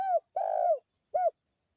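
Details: Local spotted dove used as a lure for birds: the tail of one coo, a long low rolling coo and a short arched closing coo, clear against silence.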